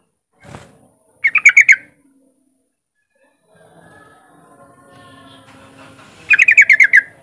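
A yellow-vented bulbul gives two short, bubbly phrases of about five quick, slurred notes each, several seconds apart. A faint click and a soft background hum are also heard.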